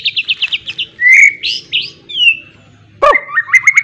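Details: Trained white-rumped shama singing with a miwah fill. Quick trilled runs of notes lead into rising whistles and a clear drawn-out tone. One loud harsh blast is followed by more rapid trills.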